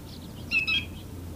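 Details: Stilt sandpiper (Calidris himantopus), identification uncertain, possibly a marbled godwit, in Delta on Friday 28 July: one brief, husky, slightly buzzy call, preceded by a few faint higher notes, over a low background rumble.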